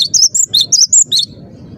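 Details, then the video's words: Cinereous tit singing: six sharp, high whistled notes alternating slightly in pitch, delivered about every fifth of a second, with faint low rumble beneath. "burung gelatik batu gacor dor"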